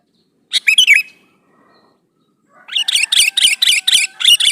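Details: Male sooty-headed bulbul calling to a female, one quick fluty warbled phrase, then after a pause a fast, dense run of chattering, squawky notes repeated several times a second.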